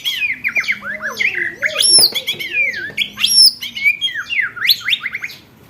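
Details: White-rumped shama (murai batu) training song for contest birds: dense, high, varied whistles and swooping slurs, with a soft low warbling undertone.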